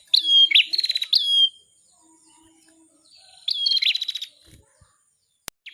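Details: {'caption': 'Bar-winged prinia song, used as a masteran tutor recording for cage songbirds: two bursts of sharp, high rattling chirps and quick trills, each lasting about a second and separated by a short silence, with a faint click at the end.'}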